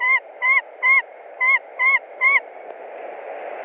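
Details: Nesting white-tailed eagle in Latvia, 20 March 2021, screaming at a visiting stranger, probably a young eagle: six evenly spaced, ringing yelps about half a second apart, then only a rushing, hissy background.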